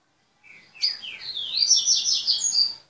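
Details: Short burst from an owned azulão: a soft lead-in note, then a rising, rolling warble of tightly packed whistled notes lasting about two seconds.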